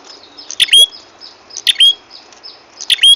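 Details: Prenjak kepala merah lure call for trapping: three bursts roughly a second apart, each a cluster of sharp, high chirps ending in a quick rising whistled note, with faint background hiss between.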